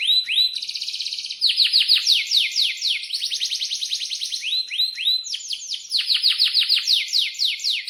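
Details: Breeding-mood canary pouring out continuous song for tutoring young birds: fast rolls alternating with rapid series of high swept notes, with almost no pauses.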